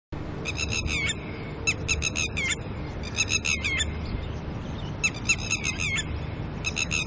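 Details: A pair of red-wattled lapwings, disturbed by a person nearby early in the morning while tending their chicks, give loud alarm calls: bursts of four to six sharp, harsh, clipped notes repeated in quick series, with steady low background rumble.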